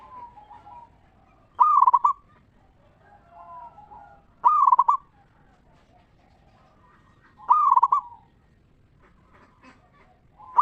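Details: Zebra dove of local stock in ngeristal lure song, meant to provoke answering song from other zebra doves. Loud rattling coo bursts come every three seconds, interspersed with softer wavering coos.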